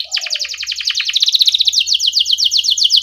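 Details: Canary rolling steadily in the gacor ngerol style, a master recording meant to get young canaries singing: a dense, fast, even trill of high pulsed notes, with a faint low hum behind.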